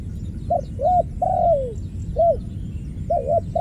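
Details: ['Ground dove heard where two birds were trapped and one escaped; a series of short arched coos, then a long downward-sliding coo, followed by paired quick coos, over a low rumbling background with faint high chirps.']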